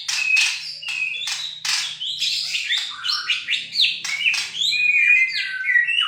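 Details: Young white-rumped shama of the Bornean form, a captive bird learning to sing: varied rapid whistled and chattering phrases, sharp notes and sweeping slurs mostly high-pitched, with a faint low hum underneath.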